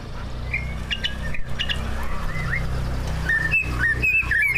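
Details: Greater green leafbird, captive competition bird, singing whistled notes and slurs, quiet at first, then a clearer series of short bright whistles in the second half over low hum.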